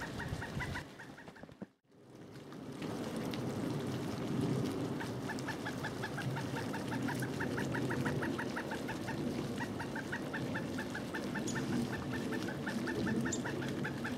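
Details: Pileated woodpecker calling in Duke Island Park on January 25, 2011, in winter, filmed with a Panasonic HDC-SD60: long rapid series of clipped, even notes, briefly broken near the start, then running on steadily beneath constant low rumble.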